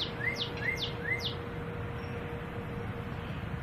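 A northern cardinal sings a quick series of three or four sharply slurred whistles, each with a rising lead-in, then stops; a steady low hum continues in the background.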